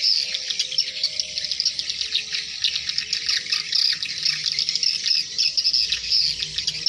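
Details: Hundreds of swiftlets returning to their nests at dusk, a dense continuous wash of high chirping and twittering calls from many birds at once, with a few lower whistled notes underneath.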